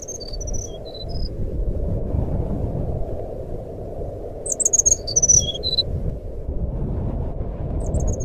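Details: Forest flycatcher (sikatan rimba) singing in a fluting style, played as a lure to make a silent bird sing: short bursts of high, thin whistled notes, some rising, others falling, over a steady low rumbling background noise.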